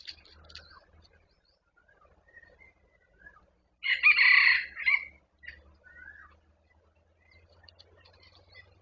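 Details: A wild red junglefowl nearing a decoy cock gives a single hoarse, broken crow midway through, against faint low rumble and scattered soft bird chirps.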